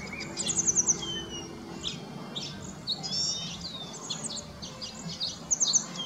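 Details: A group of around 35 cedar waxwings perched in a very bare tree, searching for scarce berries, give very high, thin, lisping trilled notes, several calling over one another in short bursts; faint low hum behind.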